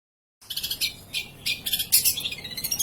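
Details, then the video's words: Long-tailed shrike, kept in a cage that is being turned about, singing without stopping: a rapid series of harsh, scratchy, chattering notes in bursts, over a rough background noise. "Burung pentet kandangnya dibolak-bakik pentet ini tetap gacor bos. Anti mandek"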